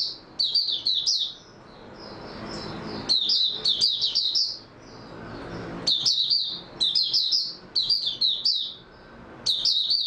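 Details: Oriental white-eye (Mata Puteh) kept in captivity, recorded after a good night's sleep, repeats rapid high twittering song bursts of about a second each with short quiet gaps, the phrases thin and sibilant, with low background hum.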